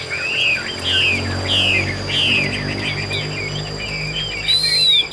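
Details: Chinese hwamei kept in a cage in Vietnam, described as fierce-faced and good for fighting or singing; loud slurred whistled phrases, several downward-sweeping notes in a row, over a low hum and a thin steady whine.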